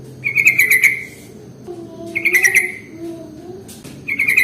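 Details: Sooty-headed bulbul used as a lure to attract other bulbuls: repeated half-second bursts of quick, buzzy chatter, with faint low wavering tones filling the pauses.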